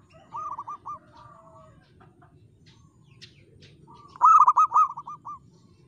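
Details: An actively singing local zebra dove with a clear crystal tone: a gentle run of four coos, a pause with faint clicks, then a loud, quick rolling phrase of about seven coos.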